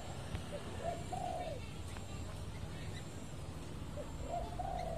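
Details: Tame spotted dove, one of a pair kept about 10–11 months and let out to roam free, gives soft, low cooing phrases about three seconds apart over a steady low rumble.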